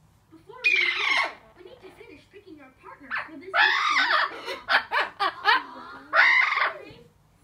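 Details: Four-year-old female Blue-fronted amazon chattering excitedly indoors before coming out, with loud squawky speech-like bursts and rapid choppy syllables between quieter murmurs.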